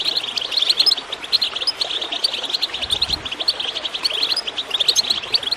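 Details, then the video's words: Goldfinch chirping in clear, rapid, high twitters and trills, used to encourage birds to sing, over a faint water gurgle with one brief low splash. "Water gurgling with goldfinch chirping to encourage birds to song"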